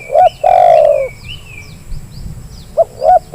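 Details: Spotted dove lure call for getting lazy doves to call. It opens with the end of a hooked note and a long falling coo, then comes a pause filled with thin whistles and chirps from other birds, and finally two short notes starting the next phrase.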